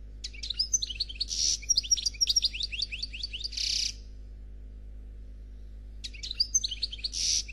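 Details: European goldfinch, called 'Noir', singing a faultless Khalwi-style song: fast twittering phrases with high chirps and buzzy notes, a three-second burst, a pause, then another phrase, over a low steady hum.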